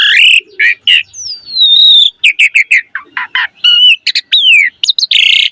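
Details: Energetic black-collared starling song meant to prompt other starlings into singing: a rapid medley of clear whistles, a long descending slurred whistle, chattering bursts and harsh rasping notes.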